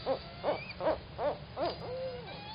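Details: A young owlet calls for its mother on March 16, 2019 at 7:49 PM, giving five short, hollow notes about every two-fifths of a second, then a longer, level drawn-out tone, over a faint low hum.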